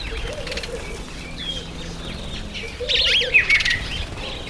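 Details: Masked weaver during its September–October breeding season, when it takes on breeding colours; short chirps and twittering notes, a busier burst of sharp calls near the end, wingbeat flutters and other bird chatter around.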